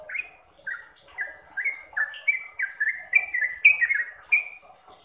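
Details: Sooty-headed bulbul trucukan song, used to make caged bulbuls sing often and rapidly: short whistled slurred notes, several rising then falling, given in loose series about two a second, with a faint high hiss above.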